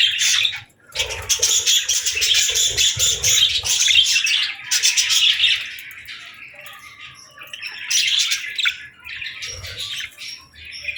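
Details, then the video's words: Budgerigar song: several seconds of fast, pulsing high chatter, then a softer lull, then another burst of warbling chirps near the end. "Budgie Singing & Chirping Sounds | Relaxing & Happy Parakeet Sounds"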